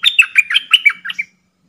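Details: Caged decoy bulbul singing to provoke wild birds to fight: a quick phrase of about seven bright, slurred whistled notes, each dropping slightly in pitch, ending after just over a second in silence.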